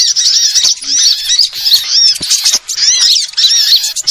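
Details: Sunbirds of various kinds in a lure recording: dense, high-pitched twittering with slurred whistled notes and chirps, nearly continuous, with brief dips around the middle.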